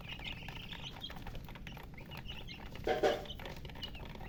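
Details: Thirsty domestic chicks wanting drinking water give a short run of thin high chirps at the start, then fainter peeps; a brief loud lower burst follows midway over background hum.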